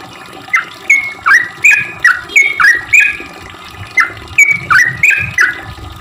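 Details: Sooty-headed bulbul song played to attract other bulbuls, a run of liquid chirping notes with a quick downward dip then a level tail, repeated rapidly with small pauses.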